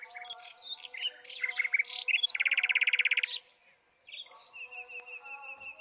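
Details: Mockingbird song in varied phrases: mixed squeaky chirps, then a loud, fast trill lasting about a second, a brief pause, and a run of high, rapidly repeated notes. Faint low tones hum in the background.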